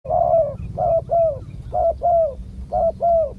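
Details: Wild spotted dove with a big, deep voice, heard during a decoy-luring session: low, hollow coos in short bursts, often paired, about once a second, with steady low rumble underneath.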